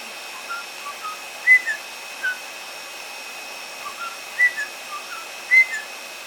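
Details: After bathing, two caged-indoor pet white-bellied parrots sit near a hair dryer; soft chirps and a few brighter whistled notes recur every second or so against the steady drone of the dryer.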